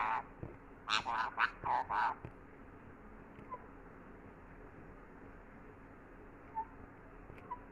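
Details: A talking parrot gives a fast burst of five harsh, voice-like syllables in about a second, then falls mostly quiet apart from a couple of faint short chirps over a steady low hum.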